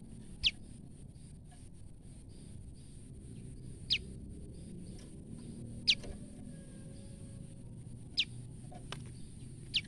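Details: Female olive-backed tailorbird calling out of fear, used as a lure for wild tailorbirds: five short, sharp, high notes spaced about two seconds apart over steady low background hiss.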